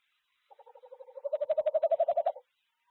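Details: Courting tawny owl pair at Ash Tree, recorded 6 February 2025: one gentle, low trill of quick even pulses. It starts faint, grows louder and slightly higher for about two seconds, then cuts off, with silence around it.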